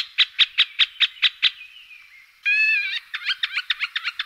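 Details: Middle spotted woodpecker (Dendrocopos medius) calls: a quick series of sharp, bright notes about five per second, then a harsher grating burst and more fast, clipped calls, from a recording of calls, male displays and male song.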